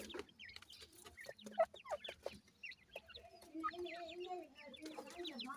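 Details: Newly hatched teetar chicks at feeding time: a busy stream of thin, falling peeps from several birds, joined midway by a lower, wavering, drawn-out tone.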